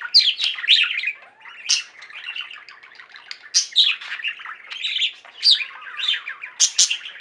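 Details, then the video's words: Flock of pet budgerigars in song, chattering warble of quick chirps and gravelly buzzes, broken by loud high-pitched squeaks at irregular intervals. "Most Beautiful Budgie songs Ever: Budgies singing and chirping"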